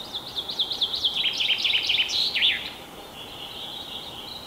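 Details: Common chaffinch spring song, recorded 21 April 2020 in Kalinovsky forest park, Yekaterinburg: a quick, bright cascade of notes that speeds up and drops in pitch, then ends in a flourish after about two and a half seconds.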